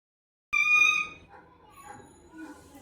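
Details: Parrot vocalizing, described as talking: one loud, sharp, harmonic-rich squawk held for about half a second, then quieter wavering chatter-like sounds that fade in and out.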